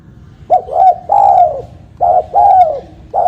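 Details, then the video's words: Spotted dove, recorded as a lure for trapping: brief run of mellow coos, a short note followed by a longer downward-curving one, over faint low background noise. "Suara burung tekukur"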